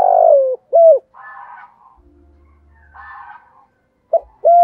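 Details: Decoy spotted dove's coaxing coo, used to provoke wild doves into calling. Smooth hooting coo notes open and close the stretch. Between them come harsher, noisier rasping sounds and a faint low rumble.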